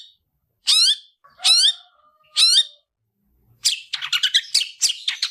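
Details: Long-tailed shrike fighting song used to train other shrikes: three loud, ringing down-slurred notes about a second apart, then a fast jumble of scratchy, chattering notes.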